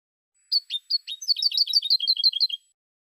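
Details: High, tinkling goldfinch song: several spaced introductory chirps leading into a long, quick series of bouncy, liquid twitter notes that drop slightly in pitch toward the end; silent background.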